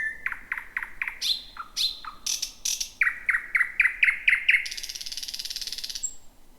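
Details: Thrush nightingale singing at night on 10 May, between 00:40 and 2:00, in dense bushy habitat: a loud, varied phrase of quick clicking notes, sharp whistles, then a fast run of repeated chocks ending in a dry rattle.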